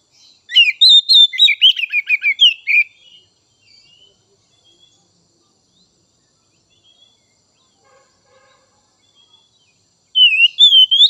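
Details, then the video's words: Oriental magpie-robin song meant to stimulate untrained and juvenile birds: a burst of rapid, varied whistles and chattering notes, a long quiet gap with faint distant chirps, then another whistled phrase starting up. "Merangsang Kacer Bahan dan Trotol!!"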